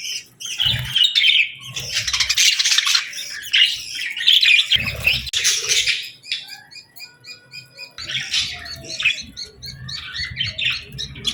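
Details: Evening feeding time among a group of budgerigars: busy chattering chirps and warbling, a run of quick repeated short notes near the end, with wing rustles and soft thumps.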